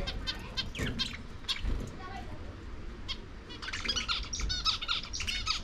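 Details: Lovebirds at corn give sharp chirps early, then a dense run of rapid, buzzy high twitters in the second half, with some soft background noise.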